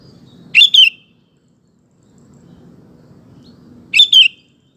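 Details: Sooty-headed bulbul, a male-style lure song for prompting other males to sing: two short bright whistled notes, the second sliding downward, repeated about every 3.4 seconds, with a soft low rumble between phrases.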